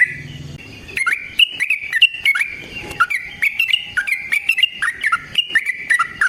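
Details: Sooty-headed bulbul in long rapid song, used as a lure and for training other birds: a busy, unbroken rattle of short whistled notes that rise and dip, after a quiet lead-in.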